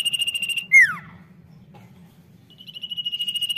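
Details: Common iora singing boldly: a quick pulsed high trill breaks into a loud descending whistled slur, a short pause follows, then the trill starts again. A low background hum is present.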